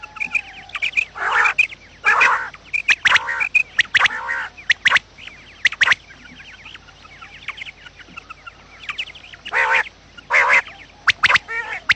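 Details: Quail lure recording made in the morning for trapping: scattered nasal, harmonic bursts and sharp clicks from several birds, with a quieter stretch of faint high chirps in the middle.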